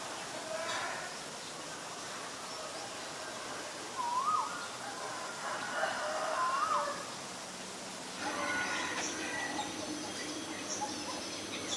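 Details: Asian barred owlet giving two upward-sliding whistled notes a couple of seconds apart, fairly faint over steady background noise, followed by a burst of broadband rustling.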